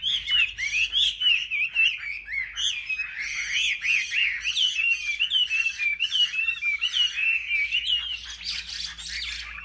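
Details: Selected caged Chinese hwamei in competitive song at a market: long stream of melodious whistles, quick warbled turns and high sparkling notes, steady and energetic throughout.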